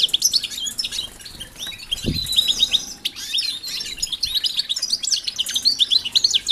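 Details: Caged European goldfinches kept with canaries in a new aviary before breeding pairs are formed. Busy, high, liquid twittering runs on almost without a break; one low thump near the second second.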